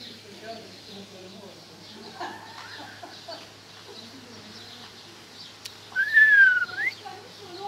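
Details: A talking parrot gives low, speech-like murmured sounds, then one loud, drawn-out whistle that slides down and then rises again near the end, over a steady low hum.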